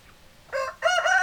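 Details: Rooster crow in two parts: a brief harsh note, a short gap, then a longer, louder, rich harmonic note, over a quiet background.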